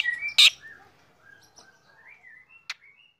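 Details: Black drongo singing actively in the morning: thin whistled notes and gliding, slurred phrases that rise and fall, with two sharp, loud clicks early and late in an otherwise quiet setting.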